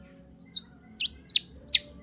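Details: Long-tailed shrike lure song meant to provoke a silent shrike to sing: four short, high, squeaky chirps spaced roughly every half second over a quiet background.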